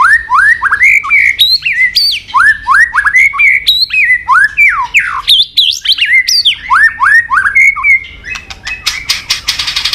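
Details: Gacor murai batu (white-rumped shama) with full isian: strings of loud upslurred whistles repeated about three per second, brief higher phrases in between, ending in dry rapid clicking rattles.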